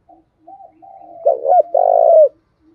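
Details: Decoy spotted dove calling to provoke wild doves into answering. Soft, faint coos build into a loud phrase of two short hollow notes followed by a sustained, slightly falling coo.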